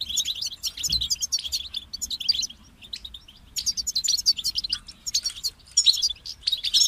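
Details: Goldfinch singing rapid liquid twitters and buzzy trills in high-pitched bursts, broken by a brief near-silent gap around the middle, over a faint low rumble.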